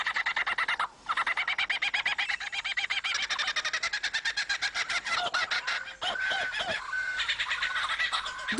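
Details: Male Superb Lyrebird in Australian forest, singing to outdo rivals and attract females, imitates a kookaburra's laugh: a fast, rolling cackle of harsh, ringing notes, many per second, rising and falling in waves.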